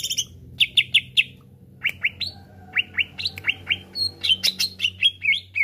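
A greater green leafbird sings a fast medley of bright chirps, slurred upward whistles and sharp notes, varied and mimic-like, with a faint low hum behind.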